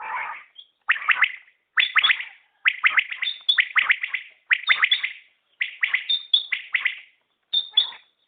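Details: Common quail calling: repeated phrases of three sharp clipped notes about once a second, with thin high whistles over some phrases.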